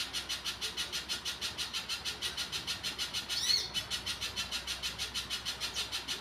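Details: Little spiderhunter in full song, a rapid, even string of piercing high notes repeated over three times a second, clear against a quiet background.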